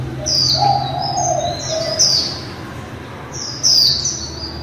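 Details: Líu-style song of a female white-eye, played to spur other white-eyes to sing: high, thin, downward-swept notes in small groups, plus a softer low whistle early on and faint hum beneath.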